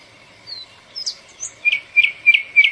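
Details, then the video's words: Northern mockingbird, known locally as cenzontle or 'bird of 400 voices', singing a few varied high chirps, then one sharp note repeated about four times in quick succession over a faint steady tone. "Sonido del Cenzontle Ave de las 400 Voces"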